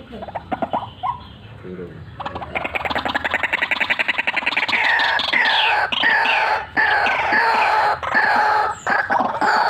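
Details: White-breasted waterhen in full vigorous calling, cackling and rolling: scattered notes quicken into a rapid rattling roll, then loud harsh croaks repeated in long sustained runs.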